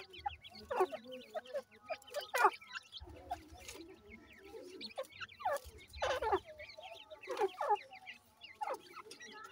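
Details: Grey (bhura) francolin chicks, described as desi teetar from Layyah, give a busy mix of short, sharp downslurred cheeps and soft clucking notes, several overlapping at once, with a low hum underneath.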